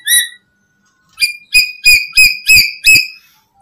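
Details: Lure call of a black-capped lory meant to draw in other lories: a single squawk, a pause, then a rapid string of six loud, ringing, slightly harsh notes.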